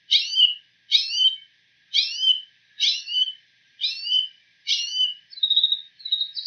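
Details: A bull-headed shrike copying another bird's call, repeating a sharp, downslurred chirp roughly every 0.9 seconds, six times, then a softer thin warble.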